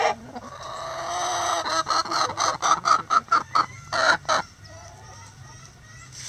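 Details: Backyard chickens going about their daily routine, giving a rapid run of short, loud clucks between about 1.6 and 4.5 seconds, uneven in spacing, after quieter soft murmurs; the yard falls quiet afterward.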